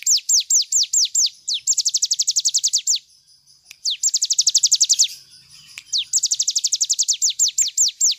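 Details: Cigun bird's full 'nembak' song, for training other birds: spaced high downslurred whistles speeding into dense trills, repeated in three bursts with brief quiet gaps and a faint low background hum.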